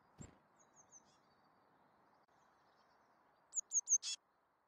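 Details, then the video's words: Eurasian blue tit gives thin, high, slightly descending notes, a faint series early on, then a brighter run of three quick notes ending in a short buzzy burst. "Chapim azul"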